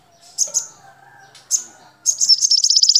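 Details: Crimson sunbird (sogon) song used as training audio for caged birds, mixed with golden grasshopper sounds: thin, very high chips, then a fast buzzy trill of rapid repeated notes; faint lower tones underneath.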